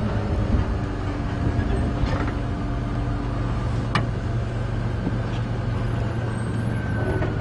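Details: A vehicle engine drones low and constant throughout, with a few faint clicks and knocks, and no animal sound is heard.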